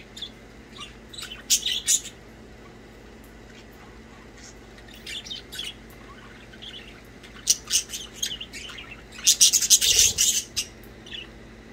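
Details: Budgies playing, giving bursts of high, harsh chirps and squawks, a quiet middle, then rapid scratchy chatter toward the end with a low thump.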